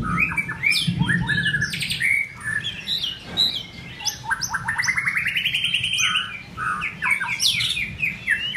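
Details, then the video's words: White-rumped shama singing in form building: sharp chips and whistles, then a long rising series of rapid buzzy notes, ending in loud varied whistled phrases. "White Rumped shama- form building"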